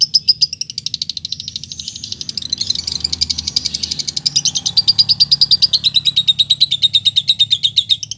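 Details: Lovebird calling a rival, a ngetik-into-ngekek lure meant to provoke other lovebirds into chattering: a continuous fast, high, buzzy trill of rapid pulses, steady in rhythm, with pitch sliding gently down toward the end over a faint low hum.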